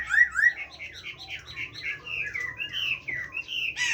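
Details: Chinese hwamei kept in captivity, singing giọng rừng (forest-voice) song: two clear whistles, then a rapid tumbling sequence of slurred notes at about four per second, ending in a sharp burst.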